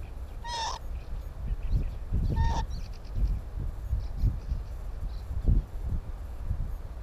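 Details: Northern lapwings in breeding season on the Timiryazev field, May 2017, filmed near nests: two brief, harsh, wheezy calls with a rising then falling slur near the start, over constant low rumbling wind or handling noise.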